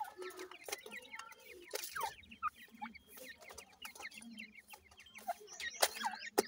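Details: Grey francolin chicks with their parents during feeding: many short, thin, high chirps repeated rapidly and unevenly, over faint low murmuring and sharp clicking knocks.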